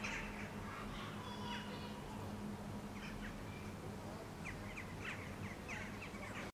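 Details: Eurasian Jackdaws (Corvus monedula) gathering on a rooftop in Helsinki, Finland, in July 2013 before flying to their night roost, several birds giving short, sharp 'chack' calls in quick bursts growing busier, over a steady low rumble.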